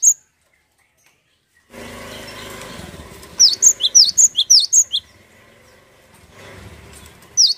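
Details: Cinereous tit song as a lure for other birds: after silence a steady broadband noise begins, over which a run of about nine high, sharp notes alternates in pitch, with another note at the end.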